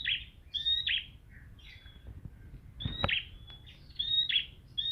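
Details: Bright, high chirped notes from a prinia, sung to make a ceplier respond, come in uneven bursts with a sharp click and low rumble near the middle.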